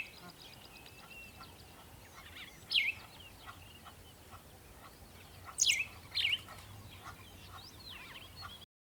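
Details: Birds chirping at sunrise in the morning: a few short, high, sharply descending chirps, single then a close pair, over a quiet, steady background hiss.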